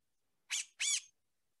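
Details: Gray Catbird held in hand at a bird banding lab, where it is commonly caught in spring and fall, giving two harsh, nasal, cat-like mews in quick succession, each about a quarter second, fairly high, in a quiet room.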